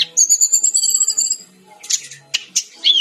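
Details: Brown-chested jungle flycatcher singing: a long high rapid trill lasting over a second, followed by scratchy bursts and a short falling whistle.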